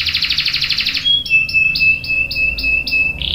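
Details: Canary with a long roll used to get other canaries singing: a dense pulsing trill, then a pure steady whistle overlaid with short repeated chirps, ending in a buzzy burst.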